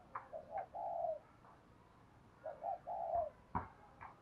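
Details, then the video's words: Spotted dove singing in the Cườm Sa song style with a hạp bổi voice: two soft cooing phrases about three seconds apart, each of short rising coos leading into a longer drawn-out coo, over quiet background hiss. "tiếng chim cu gáy bài bản Cườm Sa"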